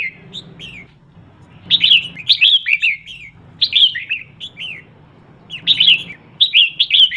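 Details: Decoy female red-whiskered bulbul, used to stimulate male birds, calling in repeated bouts of bubbly, slurred whistled notes, each bout lasting about a second, separated by quiet pauses with a low hum.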